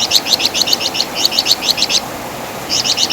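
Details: Flamboyan (wergan jawa), the Javan fulvetta, known for loud song and distinctive chatter, used as master song for songbird training. About fifteen high chirps in a quick, even two-second run, then a short pause and a few more.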